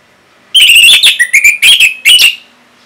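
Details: Song of an orange-headed thrush, a kept bird in Singaraja, Bali, used to coax other birds into singing; bright warbling phrases and clear whistled slurs delivered in four or five loud bursts.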